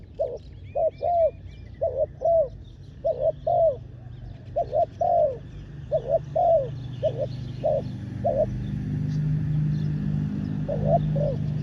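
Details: Spotted dove used as a ground decoy to lure wild doves, giving repeated hoarse cooing phrases, each a short double note followed by a longer falling coo, about twelve notes in sequence over a low rural rumble.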